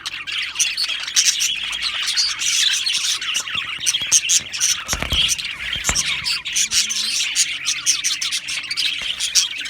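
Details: An aviary flock of budgerigars keeps up an unbroken, busy twittering of high scratchy chirps and squeaks, with a couple of low thumps midway.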